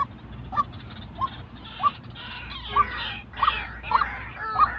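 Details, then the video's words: White-breasted waterhen calling, a real bird's voice used to train decoy birds for trapping; short hoarse notes near one kilohertz repeated roughly every 0.6 seconds over a steady low hum. "tiếng chim quốc thật"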